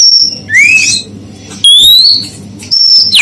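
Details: Female oriental magpie-robin's whistles, meant to provoke untrained males: a long steady high whistle, then a loud upward-sliding whistle, another rising whistle and a sharp downward slur, over a constant background hiss.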